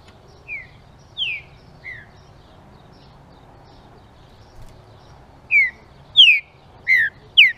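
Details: Green-winged saltator song meant to stir up other saltators: a soft phrase of three descending whistles, a pause, then a louder burst of four sharp, falling whistled notes near the end.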